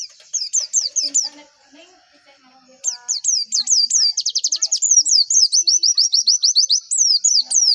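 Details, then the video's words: White-eye lure song meant to spur birds into singing: a few high slurred whistles, a pause with faint background chatter, then a long fast run of sharp, repeated high notes speeding into a trill-like series. "PANCINGAN PLECI AGAR CEPET BUKA PARUH"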